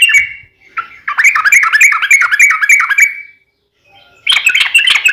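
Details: Sooty-headed bulbul fighting song used to coax another bird into calling back. A burst of fast gurgling whistles is followed by a pause, then a harsher chattering phrase at the end.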